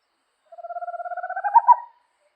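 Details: Owl trill made of rapid bouncing pulses that start level, grow louder and slightly higher, ending in two strong notes after about one and a half seconds, in clean silence.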